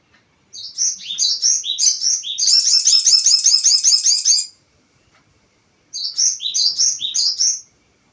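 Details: Crested jay call used as a lure for provoking other birds. Quick high chirps build into a loud, dense rattling chatter lasting about two seconds. After a pause, another run of rapid, bouncing high chirps follows.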